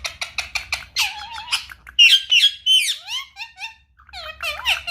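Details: Pet Indian ringneck parakeet indoors, being coaxed to talk: a burst of rapid harsh squawks, then buzzy chattering with whistled notes that rise and fall, a few clipped syllables, and loud squawks near the end.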